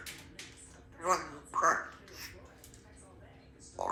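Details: A young female Congo African grey parrot, a pet kept indoors, gives two short, speech-like utterances with bright, tonal vowels over a steady low indoor hum.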